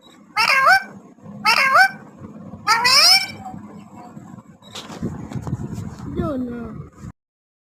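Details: Parrot talking in three quick high-pitched, twisting phrases, followed by softer, lower murmuring sounds and a short falling call near the end, over low background noise.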